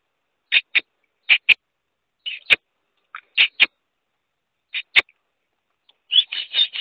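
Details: Black francolin, known locally as kala teetar or Sindhi teetar, giving harsh, buzzy notes mostly in close pairs, repeated at intervals of about a second, ending in a denser run of rasping notes; a few sharp clicks in between.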